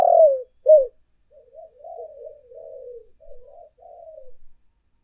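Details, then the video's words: Spotted dove coos from a lure recording of urging and calling coos: two strong, low, mellow notes open, followed by a run of softer, wavering coos trailing off. "tiếng cu gáy thúc và gáy gọi hay nhất"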